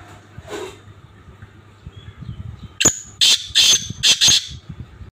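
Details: Black francolin call heard after a few seconds of faint background rustle: a sudden run of four to five harsh, grating, raspy notes delivered rapidly in an uneven rhythm.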